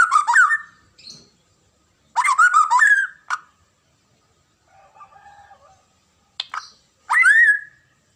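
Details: Murai batu, the white-rumped shama, delivering loud whistled phrases with sharp rising slurs and rich overtones, separated by pauses, with a few softer low notes between.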